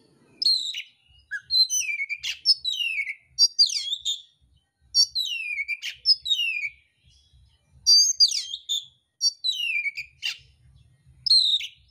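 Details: Fighting song of an oriental magpie-robin, mintal type, delivering rough fills: bright whistled phrases swooping downward, each bursting out roughly every one to two seconds with short gaps, sharp clicks between, nothing else audible.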